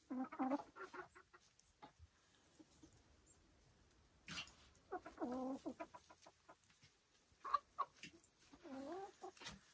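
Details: Silkie chickens on a Vermont homestead, bursts of rapid clucking with harmonic trills separated by quiet gaps, plus occasional clicks and scratching.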